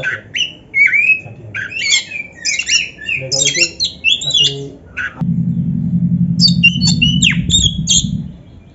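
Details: Oriental magpie-robin, called kacer, in a training masteran recording: varied high whistled and squawky phrases, joined after a few seconds by a steady low humming drone under sparse high notes.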